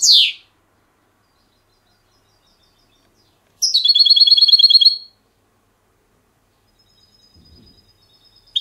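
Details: Trained European goldfinch, silvestrismo clean song: a short downward slurred note, a long pause, then a brief rapid metallic trill, with faint distant chirps near the end.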